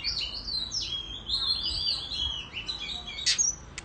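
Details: Oriental magpie-robin in the countryside during competitive singing and tail-fanning: a continuous high warble of gliding whistles, ending in a sharp brief click-like burst.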